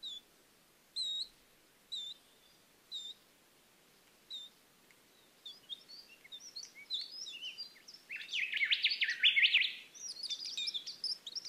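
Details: Varied Sittella at a nest in Australia's Capertee Valley, from eggs to fledglings; high thin chips repeat about once a second, then a quicker twittering chatter builds, followed by a burst of harsh, noisy sound.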